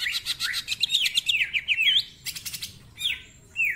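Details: A greater green leafbird in full song pours out a fast, varied song of sharp chirps, rapid trills and sweeping whistled slurs, bright and high, with no other sounds. It is used as a tutor or lure song.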